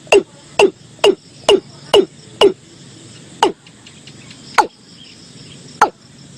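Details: Lure recording of a watercock from 2022: six quick hollow knocks in rapid succession, then three more notes spaced further apart, each a short abrupt downward sweep over a low background hum.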